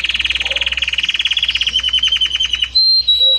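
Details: Belgian canary singing a varied song: a rapid train of repeated notes around two to four kilohertz-like mid pitch, then a clear pure whistle and a soft low note, in a quiet setting.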